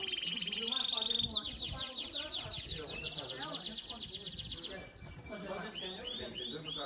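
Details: Yellow domestic Belgian canary singing in the seventh edition of a singing competition, fibra song style: bright, high rapid trills of repeated notes in fast rolling phrases, then a sustained level whistle and further trills, with faint voices beneath.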